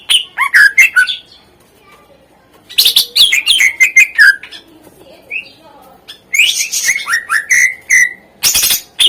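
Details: Isian-rich masteran song of a greater green leafbird, meant to spur reluctant birds into singing: clusters of quick whistles and harsh chips, each burst separated by short silent pauses, with downslurred whistles closing the phrases.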